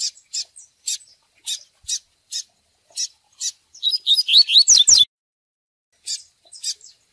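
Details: Several sharp, evenly spaced high clicks lead into one quick burst of "tui tui" style song from a Double-collared seedeater. The song is made of rapid, slurred, falling whistles. Then come two more clicks. The recording is meant for training birds.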